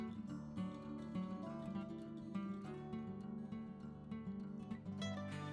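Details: Plucked acoustic guitar music plays throughout, with strummed chords and no animal sound.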